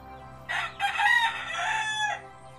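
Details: Rooster crowing, one of several different roosters audible behind a homemade incubator recording; a loud, harmonic crow in two linked parts, a short opening note then a long sustained drawn-out phrase fading after two seconds, over steady hum.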